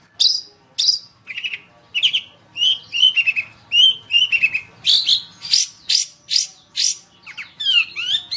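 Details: Long-tailed shrike song from a training recording for other songbirds. It is varied: harsh rasps, then lower warbled phrases, then a run of loud scratchy notes ending in quick sweeping whistles.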